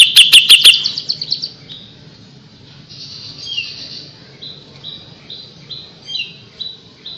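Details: Grey-cheeked Bulbul in lively song, opening with a loud quick run of high notes, then a string of softer, short, evenly spaced whistled notes.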